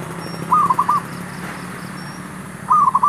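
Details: Male zebra dove calling as a lure to trap wild birds. Two short rippling coo phrases of several quick notes each, about two seconds apart, with faint background hum.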